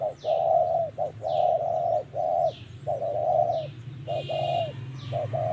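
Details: Spotted dove, trapped with a decoy, cooing in the 'giọng thổ' style. Loud, hollow low coos, short notes paired with longer drawn ones, repeat about once a second. Falling high chirps from other birds and a low rumble sound underneath.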